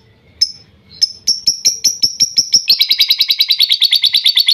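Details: Lovebird song played to coax a bird that has stopped singing. Scattered sharp high chips speed up into a dense, rapid, buzzy chattering trill, with faint low background rumble at the start.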